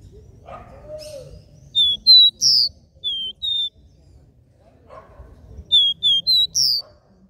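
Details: Capped seedeater giving a three-note regional song, meant to stimulate other birds to sing: two bursts of clear high whistled notes, about five slurred tones each, separated by a pause, with faint low sounds between.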